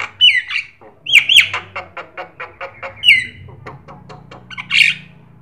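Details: A black-winged starling sings as a lure to get other birds singing. Rough screeching whistles are broken by a steady series of clicking notes, followed by a final harsh burst.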